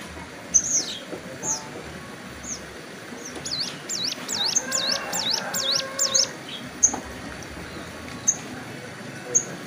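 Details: Hill prinia, moulting on the wing, sunning beside a roadside in the hills. Sharp high single chips lead into a rapid run of looping, zigzag whistled notes mid-clip, then more isolated chips. Faint background hiss throughout.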